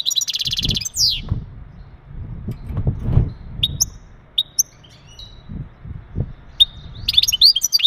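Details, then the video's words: Male European goldfinch uttering breeding calls to stimulate a female: a buzzy trill and downslurred note, then scattered thin single chips, closing with a quick twittering phrase; low rumble of background noise throughout. "بتبتات ونداءات التزاوج عند ذكر الحسون فعالة في تجهيز أنثى الحسون"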